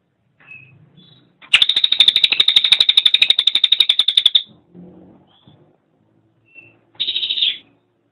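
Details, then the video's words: Cililin singing in a master recording for training songbirds, with a loud, rapid trill of evenly repeated sharp notes running about three seconds, then quiet twitters and a short second trill burst. "SUARA BURUNG - Masteran Terbaik Cililin"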